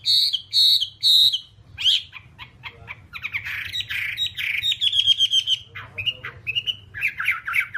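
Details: Whambie song from a one-hour training recording for caged birds: three loud buzzy squawks, then dense fast chattering with trills and scratchy notes, ending in short whistled slurs.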